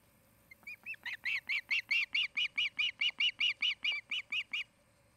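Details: Osprey at the Charlo, Montana nest: a few soft, hesitant notes build quickly into a steady string of loud, high, piping chirps, about fifteen in three seconds, then stop.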